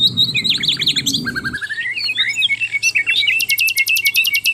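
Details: Lively Asian brown flycatcher song for bird tutoring: fast zigzag high notes, falling whistled slurs, scattered chirps, then a run of rapid clicking ticks, over a low hum.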